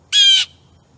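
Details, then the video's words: A blue jay (Cyanocitta cristata) feeding on suet on 22 August 2015 gives one harsh, raspy, buzzy squawk lasting about a third of a second against a faint low background hum, as a wild turkey wanders by. "Noisy Bluejay"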